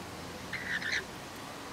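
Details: Rainbow lorikeets in an Australian backyard: a half-second burst of buzzy, rasping chatter with a harsh rising note at the end, followed by a quick sharp click.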